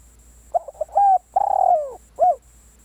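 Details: Single complete phrase from a spotted dove serving as a decoy: soft clipped coos, a clean level coo, a long purring coo falling in pitch, then one short arched closing note.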